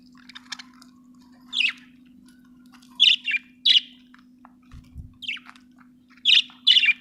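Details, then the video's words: Budgerigar's scattered sharp chirps, some in quick doubles, separated by quiet pauses, with faint twittering and a constant low hum behind. "budgie chirping sound"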